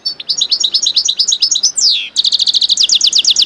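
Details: Mule bird from a goldfinch crossed with a canary, singing loudly: fast varied high chirps, a descending whistled sweep, then a brisk trill of steady repeated notes.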